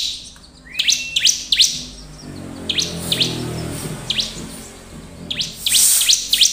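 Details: Bar-winged prinia (ciblek) singing a lure song meant to set other prinias singing: quick, sharp, high chirps in loose bursts over a low steady hum.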